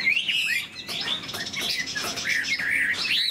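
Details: Caged Chinese hwamei singing while spreading its tail and flicking its wings, a loud run of clear, slurred whistles that rise and fall, broken by brief buzzy notes, with a faint low hum behind.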